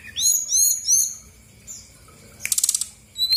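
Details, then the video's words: Brown-chested jungle flycatcher, female, of Bali origin, sung as a lure to draw a reply from lazy birds. Three repeated high arching whistles, a downslurred note, a brief dry rattling burst, then a final whistle. "PANCINGAN SRDC GACOR BONGKAR ISIAN/BURUNG MALAS BUNYI AUTO EMOSI RESPON NYAUT!!!"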